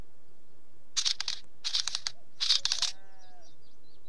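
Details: Three rasping, scratchy wheatear bursts spaced roughly every three quarters of a second, the last trailing off into a soft whistle, over faint background hiss.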